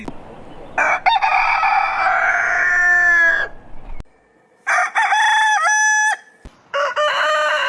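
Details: Roosters crowing in the morning: a long, rasping crow of over two seconds that fades downward, then after a brief pause two more crows, the first with stepped, wavering notes.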